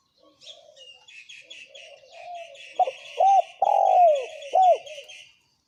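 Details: {'text': 'Spotted doves, male and female, calling in the thổ kim lure style for wild doves: higher chirping from other small birds first, then loud, hooked, descending coo notes in the second half.'}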